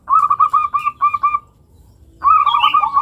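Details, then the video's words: Local zebra dove (perkutut lokal) producing a long cooing song to encourage young doves to sing; two phrases of rapid, evenly repeated rolling coo notes with a short pause between. "Perkutut lokal manggung suara panjang, pancingan untuk perkutut bakalan."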